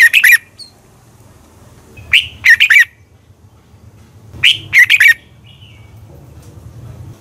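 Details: Competition-singing red-whiskered bulbul, played to train and excite other birds in the morning: short clipped phrases of two or three sharp whistled notes, repeated roughly every two and a half seconds over a low background hum.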